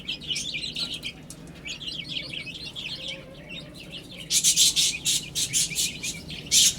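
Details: Chicks busy eating and drinking give a steady stream of high, slightly falling peeps, then sharp pecking or scratching clatters repeat through the last seconds.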